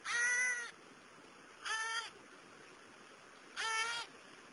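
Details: New Caledonian crow, wild, filmed while young crows learn larva-fishing, using tools to extract wood-boring beetle larvae: three nasal, harmonic caws, each under a second long, spaced about two seconds apart over a quiet background.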